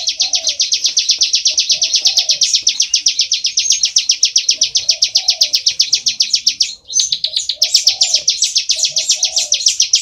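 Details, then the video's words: Bar-winged prinia singing actively in full ngebren style, a steady stream of piercing, buzzy notes repeated nearly four times a second for ten seconds, a short break near the seventh second, and soft low coos behind. "Ciblek Sawah Gacor full ngebren"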